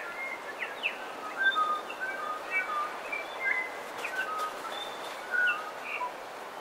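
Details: Dawn chorus on the coast with bellbird song and calls. Overlapping clear, chiming whistles, some bending upward, fill the clip, over a steady hiss and a few brief clicks.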